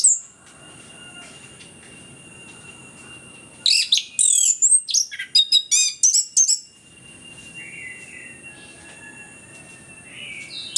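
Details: Orange-headed thrush singing energetically, played as a lure for quiet birds: after several seconds of low background hiss, a three-second burst of rapid, varied high chirps and trills, then quiet again.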